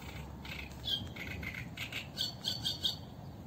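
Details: Eurasian reed warbler song recorded live by the Sarno River, a steady chatter of grating and slightly whistled high notes in quick succession, with soft low rumble underneath.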